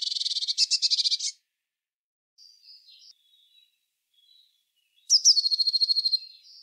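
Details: Eurasian blue tit singing: a fast buzzy trill of high notes, then soft faint notes, then a sharp descending note leading into a rapid even trill.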